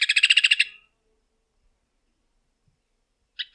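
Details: Short burst of quick, ringing repeated notes from a Rufous hornero, also known as Maria Barreira. A brief fragment of the same notes returns after a pause.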